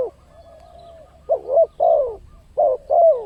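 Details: Spotted dove lure call used to attract wild birds: low, mellow cooing notes in short paired phrases, the second of each pair sliding downward, repeated about once a second, with a faint soft coo between phrases.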